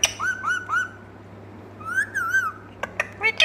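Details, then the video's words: Indian ringneck parrot voice: three short rising whistled notes, a pause, then a longer wavering whistled phrase, followed by sharp clicks and a brief squawk indoors. "Lovely Talking Parrot | Ringneck Parrot Voice"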